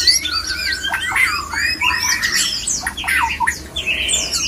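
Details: Breeding-condition white-rumped shama song meant to provoke other shamas into mating readiness, a dense run of sweeping whistled slurs and harsh buzzy chatter notes overlapping quickly, with faint low background hum.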